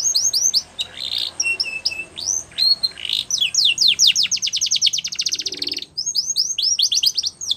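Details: Training song of a Belgian canary for young canaries: varied high phrases of flat whistles and slurs, a long fast rattle of falling notes, then further quick descending notes.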